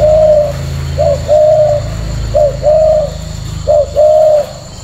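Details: Male spotted dove, a tame caged bird with leg rings, gives three clear cooing phrases. Each is a short clipped note, then a longer level hollow coo, roughly every 1.3 seconds, over a steady low hum.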